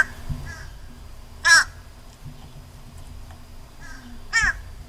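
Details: Fish crow in an American backyard near feeders, hunched over with throat feathers fluffed out while calling; two short, nasal, harsh caws about three seconds apart over a quiet background.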